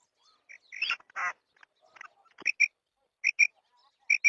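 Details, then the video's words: Female quail: after some scratchy, rasping noises, clear high double notes come in three evenly spaced pairs. "مادی بٹیر کی 7 منٹ والی آواز / Female Batair Sound"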